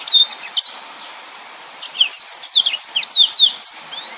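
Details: Singing yellow-fronted canary in the dense 'nembak full rapet' style. A short whistled note comes first, then a pause, then a rapid run of sharp downslurred whistles and chirps.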